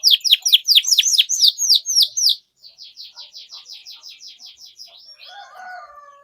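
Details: Canary song as a training lure for young canaries, starting with loud downward chirps, then a softer even series of repeated notes, ending in quiet lower warbling.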